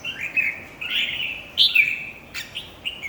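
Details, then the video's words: A red-whiskered bulbul sings during a contest, drawn-out slurred whistles followed by a sharp bright note and a few short chirps. "chào mào thi đấu 3"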